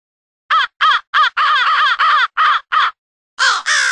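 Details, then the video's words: Crows from two different groups calling for an early-morning group huddle, in a studio-produced mix. Eight rapid, raucous, grating caws follow close on each other, then a short gap and two longer, rougher caws. "CROW CALL CAW"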